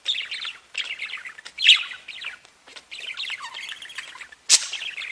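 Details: Several budgerigars chatter and sing together in a dense, continuous warble of twittering, scratchy notes, broken by short pauses and a few louder sharp chirps.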